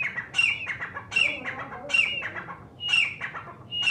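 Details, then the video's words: A grey francolin (desi teetar, partridge) gives loud, harsh, squealing notes, roughly one every second, each a shrill burst with a ringing whistled edge. "Desi teetar ki awaz || partridge call|| grey francolin call|| bhore teetar"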